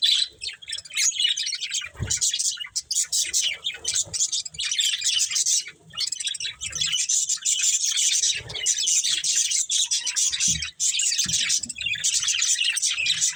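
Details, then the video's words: A breeding pair of budgerigars warbles continuously, a long stream of rapid, scratchy high chirps and trills with tiny gaps, plus a few soft low taps. "Cute Budgies Chirping Sounds"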